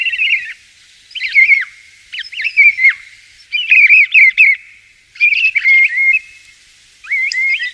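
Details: Common starling (estorninho malhado), a bird that lives in flocks, singing bright, slurred whistled phrases with wavering notes and short clicks. Bursts come in clusters about every second, separated by brief quiet gaps.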